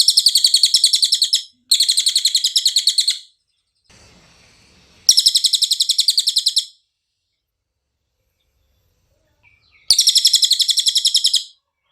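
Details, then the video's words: Cililin song as clean training audio for songbirds: four separate bursts of shrill, evenly pulsed trilling, each about one and a half seconds long, with longer silences between them and a faint hiss in one gap. "MASTERAN CILILIN SUARA JERNIH"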